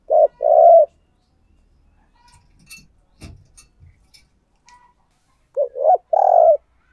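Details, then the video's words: Spotted dove kept as a decoy to attract wild doves gives a couple of low hollow coos, then falls quiet for several seconds with faint clicks and handling noises before cooing again at the end. "Chim Cu Mồi Thúc Gù Gáy Gọi/ Tiếng Chim Cu Gáy Kích Bổi"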